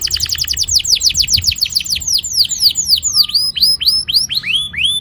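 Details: Singing canary delivering a long roll to coax young canaries into song: a very fast trill of high falling notes that slows into spaced, swooping whistles with a faint steady low tone.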